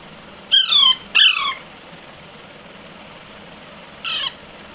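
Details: Baby Alexandrine parakeet with a pair of quick, grating squawks, then a pause and one shorter, softer squawk near the end, against faint room hum.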